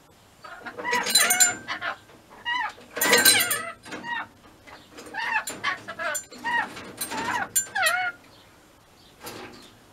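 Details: Pet rainbow lorikeets give loud, harsh, grating screeches in bursts of about half a second, roughly every one to two seconds, with shorter chattering notes in between.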